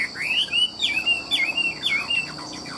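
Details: Caged Chinese hwamei kept for sale in Vietnam, singing rich whistled slurs that sweep up then down in a repeated pattern about every half second, over a constant high hum.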